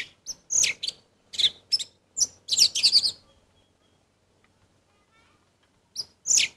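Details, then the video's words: An orange-headed thrush in full voice gives a varied phrase of sharp, high chirps and slurred notes, falls silent for about two seconds, then resumes with a further chirped burst. "Anis merah gacor Mendongkrak emosi"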